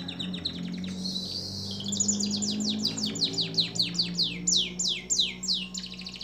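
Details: Canary singing in a long songbird training recording, a brief buzzy roll followed by quick repeated high downward chirps in a steady run, over a low steady hum.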